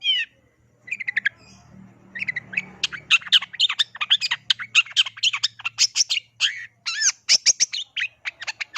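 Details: A long-tailed shrike (cendet), a songbird kept for singing contests, pours out a fast, varied song of harsh chatters, squawks and sharp high notes, almost without pause, over a faint low hum.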